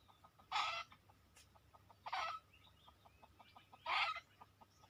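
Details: Wild red junglefowl lured in, arriving within two minutes: three harsh, raspy squawks spaced about one and a half seconds apart, over a steady ticking pulse and faint background birds.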